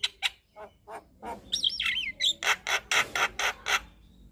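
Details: Javan myna singing a full-fill-in 'gacor' song: a few scattered rasps, a twisting whistled phrase, then a steady series of loud harsh chack notes about two per second.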